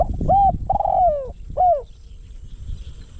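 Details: One phrase from a spotted dove kept as a decoy to lure wild doves: a hooked coo, then a long coo sinking in pitch, then a short falling coo. Low background rumble throughout.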